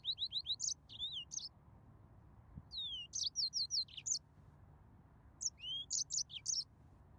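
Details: A yellow-fronted canary sings three separate bursts of quick high chirps and twisting whistles, each followed by a quiet pause with low hum.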